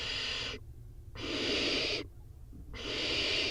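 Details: Barn owl nestlings, four chicks in a nest box during a feeding frenzy, give long noisy hissing calls in three drawn-out bursts separated by short silences.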